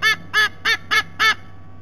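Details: Sea eagle chick, SE-26, back at its nest for tea after a rest, 3 November, nest camera at Sydney Olympic Park, Australia: five loud, harsh, harmonic yelps, evenly spaced about every third of a second, over a steady low hum.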